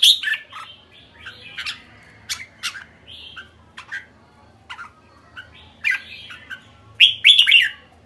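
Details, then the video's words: Red-whiskered bulbul giving irregular short chirps and squeaky notes, quieter through the middle, with a loud cluster of whistled chirps near the end. "Merbah jambul kekek"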